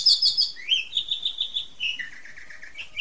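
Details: Asian pied starling 'super ngentrok' therapy song for household magpie robins: a bright high chatter, a rising slurred note, then rhythmic repeated buzzy notes stepping lower, fading into a softer low warble.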